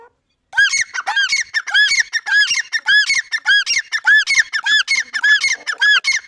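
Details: Loud, rhythmic calling of a grey francolin: after a brief silence, ringing arched notes repeat in fast regular triplets, almost two per second, without a break to the end.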